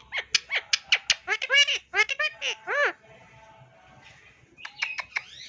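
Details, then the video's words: Indian ringneck parakeet kept as a pet, talking in a fast burst of clipped, bright syllables and longer harmonic chattering notes for about three seconds, then near silence with faint background noise before a few short high squeaks. "Funny Talking Indian Ring neck Parrot"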